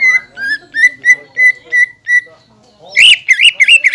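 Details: Green leafbird song used as a lure to stir up rival birds, said to carry kingfisher, magpie robin and shama sounds; eight clear, repeated whistled notes, a short pause, then a loud burst of twisting, warbled phrases.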